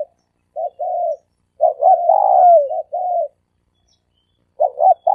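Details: Lure call of a dove, three-coo style: short coos, then a stuttered note rising into a long loud falling coo and two level coos. After a pause, another double note begins. No other sound.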